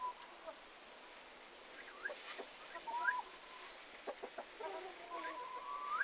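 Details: Turkeys, the farm's first, on the day they arrived, 11 August 2015: scattered rising whistled peeps, some short and upslurred, others longer and level, spread irregularly over a quiet background.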